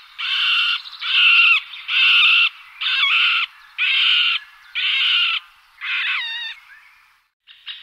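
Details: Middle spotted woodpecker (calls, male displays or male song) giving a slow series of about seven harsh, nasal, drawn-out squeaking notes, roughly one per second, with the last note wavering.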